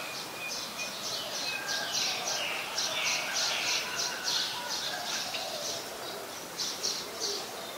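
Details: Streak-eared Bulbul, resident in mixed deciduous forest near Ubon Ratchathani, Thailand, 20 January 2021: a rapid, busy run of high chattering notes, about three per second, over a noisy outdoor background.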